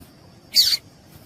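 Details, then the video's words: A female double-collared seedeater in breeding condition, used to stimulate and train males, gives one thin, high, downslurred note lasting about a quarter second over a faint low background hum. "COLEIRO TUÍ TUÍ PROFESSOR COM FÊMEA PIANDO MUITO DE QUENTE"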